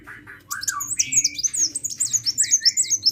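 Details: Energetic sunbird singing: a fast, pulsing series of high, sharp twittered notes, roughly three per second, with a lower slurred whistle underneath and a faint hum.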